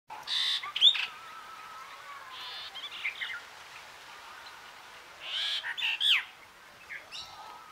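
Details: Brahminy starling in Danchang District, Suphanburi Province, Thailand, giving harsh, scratchy chatters and squeaky notes in bursts, with a faint steady whistle and other distant birds behind.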